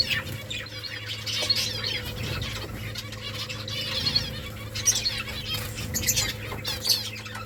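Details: A colony of finches building nests, giving short high chirps and twittering notes scattered through the clip, over frequent wing flutters and a steady low hum.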